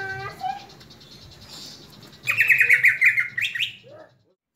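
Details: Greater green leafbird kept as a cage bird, singing after its moult. Brief human speech and faint notes come first, then a fast, loud chattering warble of rapid repeated notes for about two seconds before silence.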